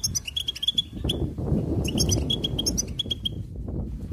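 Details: Goldfinch delivering fast, uneven series of high chirps and trills, two main bursts before tailing off, partly masked by a broad low rumbling noise.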